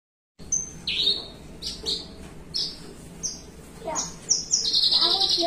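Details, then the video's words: Javan bushlark, a kept cage bird perched relaxed, in a long ringing 'melung panjang' song: short, high, clear whistled notes and upslurs, some sliding, repeated irregularly, with a low background hum and faint voices. "BRANJANGAN MELUNG PANJANG"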